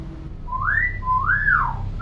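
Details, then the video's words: Tame, clever-talking common hill myna that copies many sounds, with a clear voice: two loud pure whistles, each rising smoothly and then falling away, over a faint low hum. "BURUNG BEO JINAK PINTAR NGOMONG"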